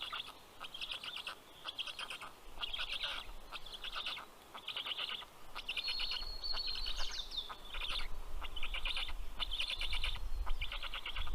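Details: Nest of Black storks, Karula National Park, southern Estonia, 11 June 2023, 11:00: chicks greet the male bringing fish with repeated rasping begging phrases about once a second, a thin rising whistle near the middle, and low background rumble.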